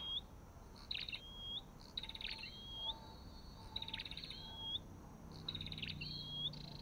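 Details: Olive-backed tailorbird (Orthotomus sepium) repeating a phrase about every 1.5 seconds: a burst of rapid sharp ticks, then a clean upslurred whistle, with a faint low tone underneath.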